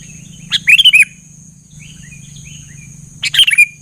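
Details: Sooty-headed bulbul singing in lively gacor style, answered by other bulbuls: two short bubbly whistled phrases about three seconds apart, with a faint steady high whine and low hum underneath.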